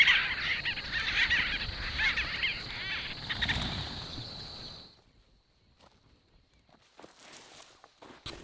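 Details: A colony of White-fronted Bee-eaters at their nesting site on the Sand River banks on a golden-hour afternoon toward sunset, chattering in dense, overlapping trilled calls.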